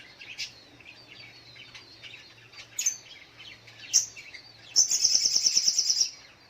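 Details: High sharp chirps from a little spiderhunter in the morning, irregularly spaced, then a quick even trill of rapid piercing notes for about a second, with a low hum behind.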